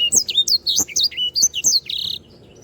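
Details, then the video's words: Canary song meant for tutoring other cage birds: a quick run of bright, high slurred whistles ending in a short, fast buzzy trill, then near silence. "sanger gacor. masteran burung..."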